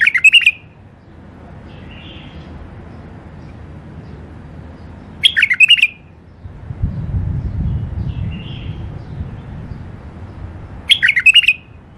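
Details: Sweet singing from tame caged bulbuls: short, bright warbled phrases of under a second, repeated roughly every five seconds, separated by quiet pauses with faint low room noise.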